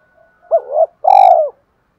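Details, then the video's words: Spotted dove cooing to rouse newly caught birds. After a faint low note comes a double hooked coo, then a long, loud, rolling closing coo that begins with a sharp click. Otherwise quiet. "Tiếng chim cu gáy kích bổi/tiếng gáy gọi hai hậu vs thúc đấu/ cu gáy thúc đấu"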